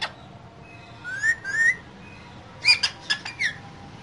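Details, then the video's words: Two caged green parrots talking: two smooth rising whistles, then a quick cluster of sharp squawks and chirps ending in a short downslurred note. "Two Green Cute Parrots Talking In Cage"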